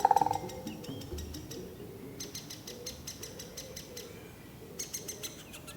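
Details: A male Great spotted woodpecker drums on dry wood at its nest in a forest: a few loud tonal notes, then short bursts of quick, evenly spaced taps, roughly ten a second, over a low rumble.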